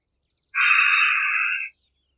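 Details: A Harris's hawk lets out one coarse, rasping screech of a little over a second. It is steady and buzzy in tone, with a hoarse, layered quality, and ends abruptly with no other sounds around it.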